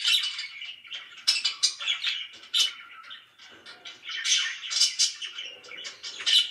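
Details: Very loud budgerigar chirping from pets, busy overlapping twitters, clicks and squeaky notes pouring out without a break, dipping briefly around the middle.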